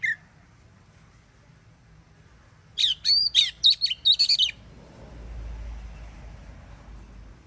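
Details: Oriental magpie-robin singing in the morning to prompt other magpie-robins to respond; after a quiet start, a rapid sequence of about nine high chirping, whistled notes, followed by a low rumbling background.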